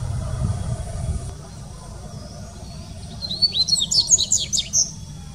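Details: Dubois's seedeater singing at the Sao Paulo Botanical Garden in Brazil, 6 January 2019: a rapid, high-pitched phrase of sweeping, slurred twitters and chips in the final two seconds, after a quiet stretch with faint low rumble.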